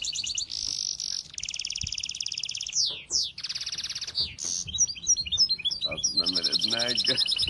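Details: Bird song of dense squeaky chirping and long buzzy trills, sweeping whistled slides and fast repeated notes, nearly continuous throughout with low background rumble.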